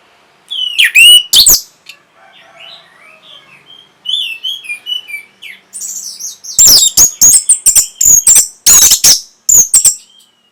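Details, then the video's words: Orange-headed thrush singing to spark breeding readiness and responses: harsh bursts, then a quiet series of soft, varied whistled notes, building into a fast, loud stream of sharp high chips and rasping notes. "NYANYIAN BURUNG PUNGLOR PEMBANGKIT BIRAHI"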